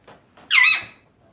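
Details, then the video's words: Two faint clicks lead into one loud, grating screech from a male pet Alexandrine parakeet, which trails off quickly. "Alexandrine singing and making sounds"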